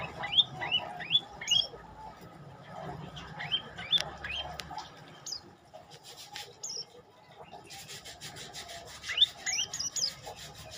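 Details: Olive-backed tailorbird song of quick rising whistled notes in short runs, then scattered high chips, with a rustling, rasping noise in the second half.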